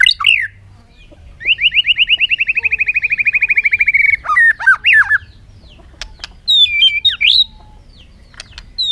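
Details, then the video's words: Bird opening with a falling whistle, then a rapid, even trill of fast repeated notes lasting about three seconds, followed by sharp down-slurred notes and later a few looping whistles among faint clicks. "suab noog quaj zoo heev"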